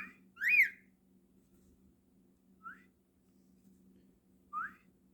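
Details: A house cockatiel gives one loud upswept whistle, followed by two brief, softer rising chirps a couple of seconds apart, set against a quiet indoor hum.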